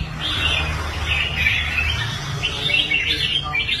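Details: A red-whiskered bulbul kept in a cage, recovered after abandoning contests, pours out a continuous bubbling warble of slurred, chattering notes against a steady low hum.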